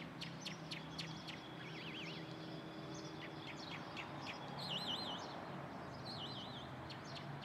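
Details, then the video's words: Lark singing from the top of a pine: varied bright whistled notes, sharp repeated chips and quick wavering trills, with a dense rolling warble near the end, over a steady low background hum. "Calandria cantando arriba de un pino"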